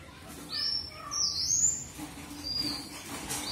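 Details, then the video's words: Red avadavat (strawberry finch) with a couple of high, thin drawn-out whistles followed by fainter, softer high notes against a quiet background. "Red Avadavat Premium or Strawberry Finch"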